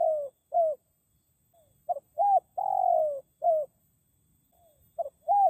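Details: Spotted dove lure call for attracting wild forest doves: mellow mid-pitched coos in phrases of a short clipped note, an arched note and a long falling coo, with gaps between phrases; clean, quiet background.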